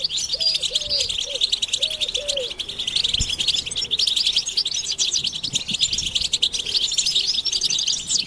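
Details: Goldfinch chorus played to excite males into singing: a continuous high, jingling twitter of many notes, with a few low dove-like coos early on and a sharp click midway.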